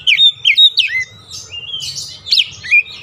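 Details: Oriental magpie-robin singing a lure song for a stressed, silent bird: clear whistled phrases, each a bright note dropping sharply, repeated in quick succession, with softer scratchy chatter in the middle.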